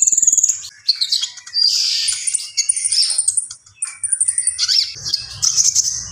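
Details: Common iora in energetic full song: dense, high-pitched chattering phrases with sharp whistled notes and short trills, bursts broken by brief pauses, plus faint low thuds near the end.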